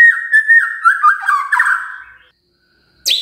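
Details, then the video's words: Murai magpie-robin song used as a lure to set birds singing: a rich warbling run of slurred whistles that wavers up and down, fading out, then a sharp high note at the end. "Pancingan Murai Gacor"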